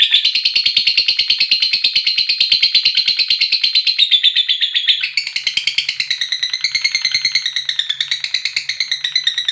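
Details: Lovebird in a long ngekek, calling to its companions: a fast, buzzy, high rattle of chirps held for several seconds, then breaking into varied chattering notes that rise and fall, with a faint low hum underneath.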